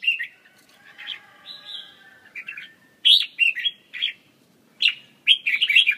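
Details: Red-whiskered bulbul delivering lively whistled song phrases, a drawn-out sweet note early, then quick clustered chirpy bursts of rich warbled notes in close succession.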